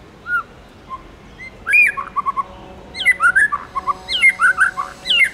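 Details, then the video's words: White-rumped shama singing in forest style, clear whistled notes and quick slurred phrases, sparse at first then a fuller run of varied rising and falling whistles, over a steady low hum. "Chích chòe lửa hót giọng rừng hay"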